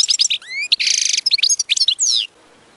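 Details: Goldfinch singing, recorded for teaching goldfinches to sing; a dense, fast phrase of tinkling twitters, a harsh buzzy stretch, rising whistled slurs and a final descending buzz, then quiet.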